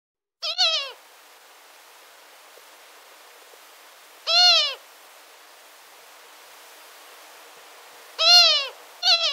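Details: A female Long-eared Owl gives her contact call near the nest: drawn-out, nasal, mewing wails that rise and fall, repeated about every four seconds against a quiet background.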